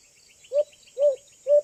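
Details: White-eared Brown Dove (alimokon), a young bird, with a call described as strongly attracting. Three brief, soft, low hoots at an even pace of about one every half second, with constant high-pitched insect drone behind.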